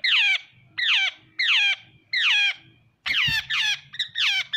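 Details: Jungle babbler calling with grating, falling squawks spaced about half a second apart, then a denser overlapping flurry after a soft thud, over faint low hum.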